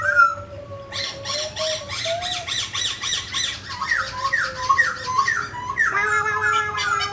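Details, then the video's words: A mutant grey laughingthrush sings while dancing: a few long, level whistled notes, then a fast run of harsh, squawky notes, then a series of repeated rising-falling whistles, over a low steady hum. "Chú chim khứu xám tro đột biến hót múa cực đẳng cấp"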